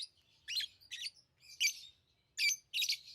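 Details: Tame lovebirds give five or six loud, shrill, buzzy chirps in separate bursts, each a dense scratchy cluster of high notes, over a faint low indoor rumble.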